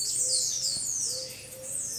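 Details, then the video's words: Blue-black grassquits in a natural aviary at São Carlos Zoo, São Paulo, Brazil: a dense chorus of high, thin chirps sliding downward and overlapping without pause, over a faint low repeated tone. "SUPER BADERNA DE TIZIU NA NATUREZA!!! PARA AMANTES DE TIZIU!!!"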